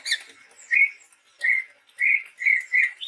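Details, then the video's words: Chestnut-rumped babbler, a male in full song from the forests of Sumatra: a series of short, even whistled notes at a steady pitch, given roughly every half second, over a light background hiss. "suara burung tepus tunggir merah gacor"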